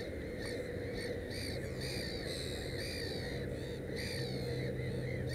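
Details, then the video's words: Black-headed gull near a nest with three chicks: a regular series of short, harsh, rasping calls roughly every half second to second, over a persistent low hum and rumble. "Озерная чайка"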